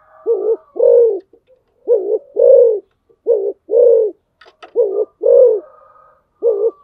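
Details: Decoy spotted dove calling in quick succession, each phrase a short notched coo joined to a longer arched hoot, about five phrases in seven seconds, with brief clicks and a faint thin whistle behind.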